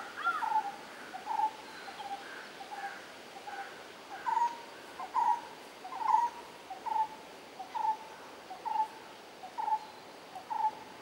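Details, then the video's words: A jungle babbler (Turdoides striata) in Rishikesh, Uttarakhand, India, in May 2016 gives harsh, nasal, mewing notes, roughly one each second in a steady series, over a soft background hiss. "Jungle Babbler Bird"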